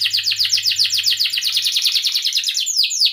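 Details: Canary song as a singing prompt: a rapid series of repeated chirping notes, several per second, forming a rolling trill, ending in two clear downward-swooping whistles.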